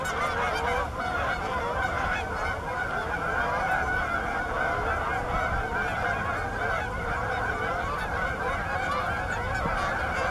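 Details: Canada geese looking for open water at Bass Ponds, Minnesota, on November 23, 2013: a dense, continuous chorus of overlapping nasal honks from many birds, with no pauses.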